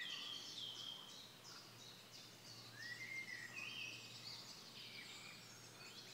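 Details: Black-necked grebe at Kala pond, Hostivice, on 26 May 2016: soft whistled calls sweeping upward in pitch around mid-clip, over a busy background of overlapping high chirps from other waterside birds and steady low hum.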